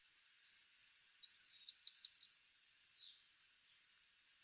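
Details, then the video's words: Brown Creeper song: a very high, thin, feeble introductory note followed by a quick, tumbling jumble of wavering high notes, lasting under two seconds (mnemonic "springtime is finally here"); a bark-clinging bird of Kentucky. "Um let's listen to the lovely song of the brown creeper. This high-pitched, thin little song."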